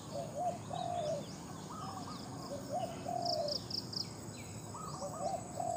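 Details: Spotted dove, a captive decoy bird noted for its big voice, used in decoy calling; low, slurred coos in short grouped phrases, with fainter cooing behind and thin high chirps from other birds over steady background hiss.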